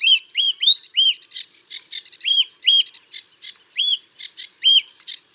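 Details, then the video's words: Song of a sedge warbler, a small marsh and scrub warbler: repeated rising-falling whistled notes alternating with sharp high clicks in a steady, lively rhythm, clear and uncluttered. "Sedge Warbler - Songs"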